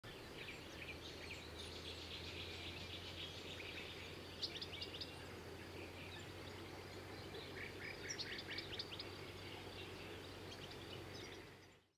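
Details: Spotted Flycatcher (Muscicapa s. striata) at Lake Kerkini National Park, Greece, in April, giving thin, high, clipped tsip notes in quick irregular bursts, with scattered chirps between, over a steady low hum.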